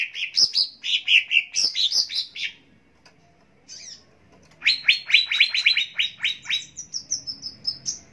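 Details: Greater green leafbird, locally cucak ijo, in a training recording: lively tumbling warbles, a short lull, then a rapid string of sharp, evenly spaced downslurred chips followed by a high, thin trill.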